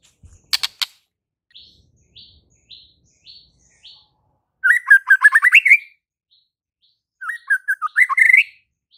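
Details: White-rumped shama singing, meant to stir a silent shama to answer. Soft high notes repeat about every half second, then two loud bursts of rapid, slightly rising whistled notes with sharp overtones.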